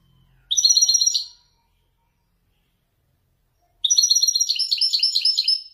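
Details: Moroccan Wedani goldfinch in captivity sings Marrakchi 'nzoulat' phrases: a short tinkling burst, a pause of over two seconds, then a longer rippling, rhythmic twitter with pulsing notes. No other sounds.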